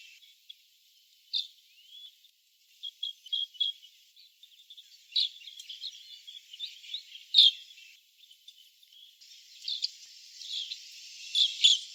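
Asian green bee-eaters give short, high chirping calls in irregular bursts over a steady background hiss.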